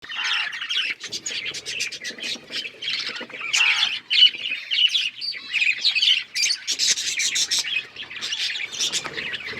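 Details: Pet budgerigars, Australian parrots, chirping together: a dense, continuous chatter of high warbling notes and squawky chirps from several birds overlapping throughout.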